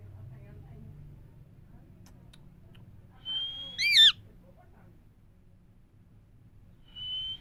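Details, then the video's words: Indian parrots, described as talking and saying "Mithu Miya Mithu", in a quiet room: a low hum, then a level high whistle that jumps into a loud, harsh, quavering screech, with another thin whistle near the end. "Indian parrots talking Mithu Miya Mithu parrots sounds"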